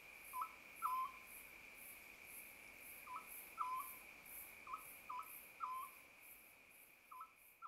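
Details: Oriental scops owl in an acacia tree behind a mountain-village house around dawn, early summer, giving short, clipped hoots in pairs and small groups about every second or two, over a steady insect drone and high ticking.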